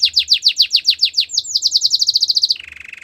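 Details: Belgian canary song used for training young canaries: fast repeated descending whistled notes, then a quicker run of higher sweeps, ending in a low buzzy rolling trill.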